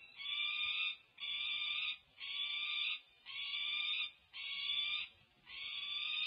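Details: Peregrine falcons at a nest on UC Berkeley, 1 June 2024, as the female feeds two young and the male drops in for the meal: harsh, grating, high-pitched calls, each nearly a second, repeated about once a second.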